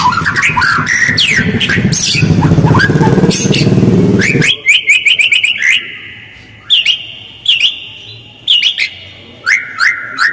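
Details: White-rumped shama lure song, coarse and fast, used to provoke replies from other birds: busy chirping over a low rumble at first, then clean short whistled phrases spaced by brief pauses.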